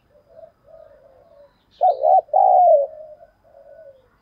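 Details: Decoy cu gáy, the spotted dove, in 'giọng thổ sấm' voice, calling to attract others: soft drawn-out coos lead into one loud wavering two-part phrase that fades into quieter falling notes.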